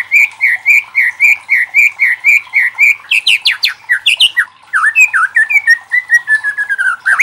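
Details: Loud song of a White-rumped shama used as a lure to spur other shamas to sing: a steady run of short repeated whistled notes, then a varied stretch of swooping slurred whistles and chatter.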